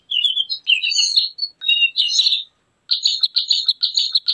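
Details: Javan grey-throated white-eye song used to lure or train birds: a few sweet slurred twittering phrases, a pause, then a fast series of sharp repeated chips about six per second.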